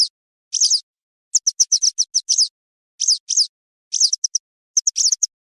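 Western yellow wagtail giving thin, high, sharp chirps in quick clusters of several notes, repeated about once a second, against a quiet background.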